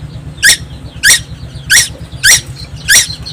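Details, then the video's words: Tuwu fledgling-age bird from Timor, Indonesia, in nonstop song: five rasping, broadband squeaks spaced about 0.6 seconds apart, with a soft steady hum underneath. "burung tuwu Pulau Timor gak pernah diam"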